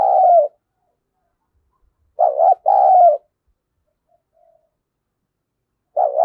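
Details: Spotted dove kept as a decoy for luring wild doves, thổ voice, repeats deep two-part coos: one ending at the start, a full phrase in the middle, another beginning near the end, in otherwise quiet surroundings.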